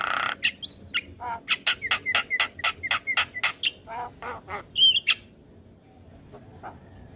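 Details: Javan myna in gacor singing used for training young birds: a harsh burst, a wavering whistle, then a fast series of about four clipped notes a second, a high warbled whistle, and near quiet afterward.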